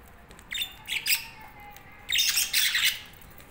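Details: Budgerigars chirping: two bursts of bright, buzzy chatter, a short cluster of squeaky notes early on, then a denser, louder run of warbled chirps for about a second, over a quiet background hiss.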